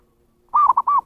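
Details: Zebra dove call for luring wild birds: three rounded, hollow coos close together, with the first and last held longer and gently arched, and a short clipped note between them. The background is quiet.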